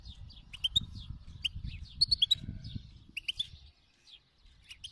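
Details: Wild-type (khalawi) European goldfinch singing: bursts of bright twittering and liquid high notes with sharp clicky chips, clustered into phrases separated by short pauses, over a low background rumble.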